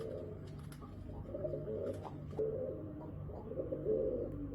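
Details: Muffled, throaty cooing from pigeons at a window swells and fades in short, repeated phrases over a droning low hum, with scattered small knocks.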